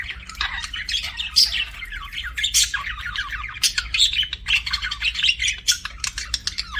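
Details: Budgies, pet birds, chirping and chattering without break: scratchy warbles, rapid squeaky twitters and sharp high peeps, steady busy flock-like sound.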